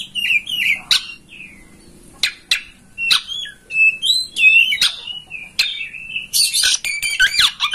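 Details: Kacer master song for getting a home oriental magpie-robin to spread its tail and sing; scattered whistled phrases and sharp clicks with gaps, ending in a rapid burst of jumbled high notes.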